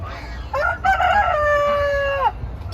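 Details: Malaysian native village chickens (desi hens and roosters) kept in coops within an open, fenced poultry and duck farm with a small shaded area; a rooster crows, a harmonic call that rises, holds steady over a second, then drops.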